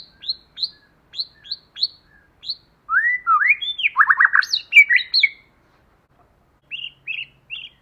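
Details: White-rumped shama lure song in wild forest style, female or male-and-female, used to stir up other shamas: short high repeated notes, then loud rising whistles and fast descending buzzy phrases, ending with three brief chirps.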